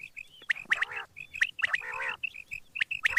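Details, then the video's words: Quail calling in the morning: short sharp notes near the upper-middle range repeated in quick pairs, mixed with harsher nasal, duck-like squawks with stacked harmonics. "batair Subha ki awaz | quail sound effect"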